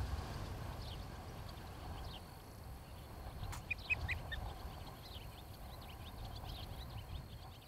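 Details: Osprey pair at a nest near tree-top homes in Charlo, Montana, on a nest camera, 26 July 2018 around 17:00. Faint, high, downward-sliding chirps come in scattered bursts over a steady low wind-like rumble, with one sharp click.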